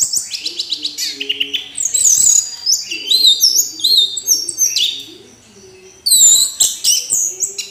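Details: Orange-headed thrush singing at length: fast, varied high phrases of whistles, trills and sharp chirps tumbling one after another, briefly pausing near the end before resuming, over faint low tonal notes in the background.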